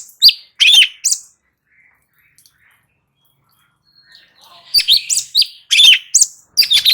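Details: Light-vented bulbul singing nonstop, used as training material to draw answers from other birds. Three sharp chirps open the clip, then a long quiet stretch, then a lively cluster of fast, scratchy, slurred notes.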